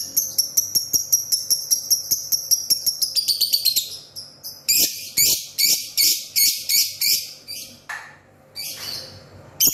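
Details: Lovebird morning song: a rapid series of high, sharp chirps repeated over two times a second, speeding into a run, then broader harsh buzzy notes about every half second, with a faint low hum beneath.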